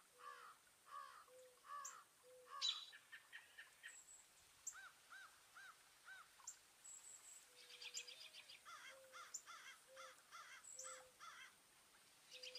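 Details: Birds in a New Jersey garden, northeast USA, partly cloudy at 36–50°F on 5 April 2024, the day of a 4.8 magnitude earthquake: repeated hoarse, nasal caw-like calls in rhythmic runs, mixed with high chirps and a faint low tone.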